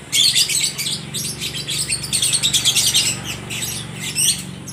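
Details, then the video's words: Several lovebirds answering one another at a bird market in Aceh Tamiang, with continuous harsh, high chattering and squeaky chirps pulsing without pause. "(Burung love bird) saling nyaut menyaut sangat gacor"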